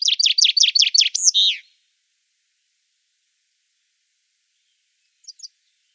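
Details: Common chaffinch (Fringilla coelebs) sings one bright phrase of about seven quick, high notes that slide downward and end in a flourish, followed after a pause by two faint short notes.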